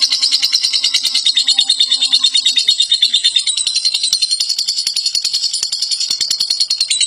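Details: Prize-winning lovebird from Central Java, Indonesia, known in local and national song contests, sings a dense, shrill, unbroken chatter of rapid high notes.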